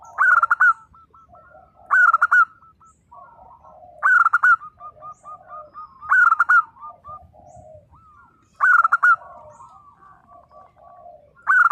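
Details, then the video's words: Zebra dove of a local type singing 'nembak' style to prompt mute doves to reply: loud, sharp harmonic bursts repeated about every two seconds, with soft stepped cooing notes between them. "perkutut lokal gacor _suara nembak perkutut lokal bisu_ 100% LANGSUNG NYAUT"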